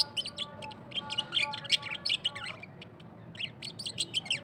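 An Australian parrot gives a rapid, scratchy warble of high chirps and squeaks, with a few brief clearer tonal notes in the first half.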